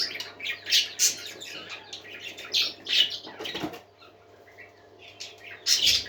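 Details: Parakeets singing happily: loud bursts of bright chirping, then a short quieter stretch with sparse soft notes before the chatter returns at full strength.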